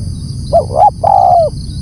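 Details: Loud call of a spotted dove: two quick, slightly rising hooted notes leading into one long, smooth, falling coo, with low background rumble and a thin high steady whine.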